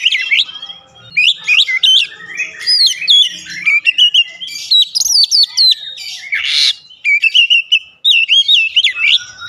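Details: Oriental magpie-robin singing continuously for nearly ten seconds, a dense stream of rapid whistles, trills and harsh bursts with few pauses.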